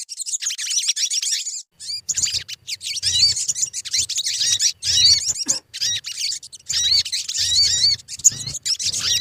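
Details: Sogon song as a lure for birds: nearly continuous high, busy twittering of fast chips and thin looping whistles, with short breaks and faint low thuds.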